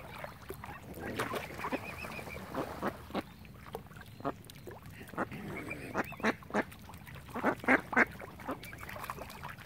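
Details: On Lough Neagh at Oxford Island, Ireland, ducks mill around a swan family: irregular short quacks about three or four per second, interspersed with brief warbling whistles and a louder burst near the end.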